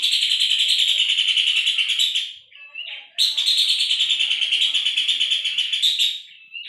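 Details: Puff-throated babbler, recorded for training cage songbirds, delivering two long, continuous harsh rattles of fast pulses, the second about three seconds long, joined by a short whistled note between them; otherwise a clean background.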